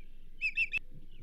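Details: Osprey at the Charlo nest, recorded by a nest camera on 27 April 2024 during a whitefish delivery to the banded female. Three quick, high whistled chirps in a row, then a sharp click and a faint thin whistle.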